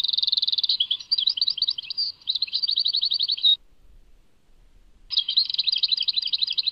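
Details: European goldfinch giving Tadmait song, with a dense ringing trill, tumbling twitters and a fast rattle, a pause of about a second and a half, then more rapid chatter.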